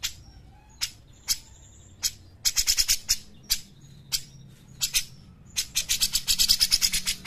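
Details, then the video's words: Grey-cheeked bulbul, cucak jenggot, in a training and lure recording: scattered high, sharp chips and short whistled notes, breaking into fast rattling runs of chips near the middle and end. "pancingan dan masteran cucak jenggot gacor enak"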